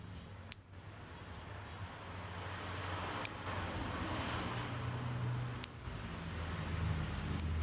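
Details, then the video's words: Lovebird repeating a single sharp, very high chirp roughly every two seconds, four times, each one short and clipped, against a quiet low background rumble. "Kicau Burung Lovebird"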